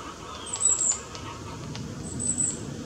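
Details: A just-fledged young long-tailed tit, foraging among trees, gives two brief bursts of very high, thin, hissing notes about a second and a half apart, over a soft low rumble.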